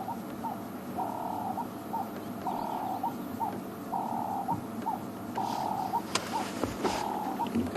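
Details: At sunset on a December safari drive, while watching a leopard, a Ring-necked Dove calls in the background, repeating a mellow, hoarse three-note coo about every second and a half over a low hum of evening insects, with a few sharp clicks.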